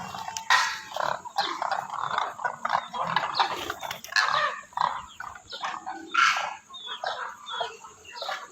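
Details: Calling demoiselle cranes (koonj) give harsh, rolling mid-pitched calls, some with a brief clear tone, overlapping unevenly with short pauses between bursts against constant background hiss.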